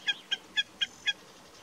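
A common snipe gives five short, clipped, slightly nasal notes, about four each second, steady in pitch against a quiet background.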